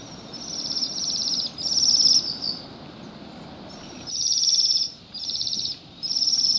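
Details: Flock of Bohemian waxwings in a rowan tree on a grey December day, Pushkin, Saint Petersburg, Russia, eating berries; overlapping high sibilant trills repeat in quick runs lasting about half a second each, with faint low rumble behind.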